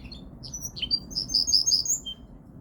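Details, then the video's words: Song of a Linnet × Canary mule: scattered high chirps and a dropping note lead into a fast run of clear, repeated trilled notes that fade out, over a low background hum. "Linnet × Canary Hybrid / Mule 1 - Hänfling x Kanarien - Pardillo Pecho Rojo (Linaria Cannabina)"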